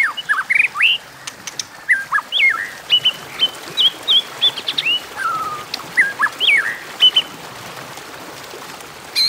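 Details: White-rumped shama in contest song ('hót đấu'), stringing many short whistled phrases: rising notes, wavy slurs, a long falling whistle near the middle and sharp ticks throughout, steady over nine seconds.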